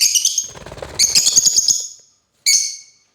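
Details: African lovebirds chatter in a rapid, buzzy twittering run lasting about two seconds, followed by a single sharp, shrill chirp.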